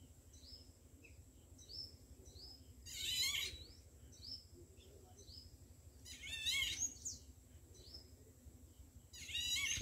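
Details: A juvenile Indian golden oriole at Kanewal Wetland, Kheda, Gujarat, gives harsh, scratchy bursts about every three seconds. Thin high chirps from other small birds fill the gaps over a low rumble.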